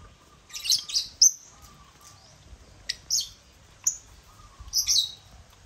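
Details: African lovebirds (Agapornis) crowding a millet crane toy: bursts of shrill, high twittering chirps, some doubled, recurring every second or so, with a faint steady hum beneath.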